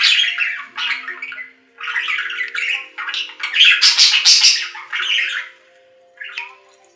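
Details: Budgerigar chattering in bursts of warbled, scratchy chirps and squawks, pausing briefly between phrases, with a quiet low hum underneath.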